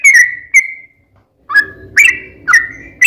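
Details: Yellow-vented bulbul singing in a lively, long rapid style, used as a lure to get other bulbuls to answer: a few short whistled notes near one pitch, some sliding down, with gaps and a faint low hum behind.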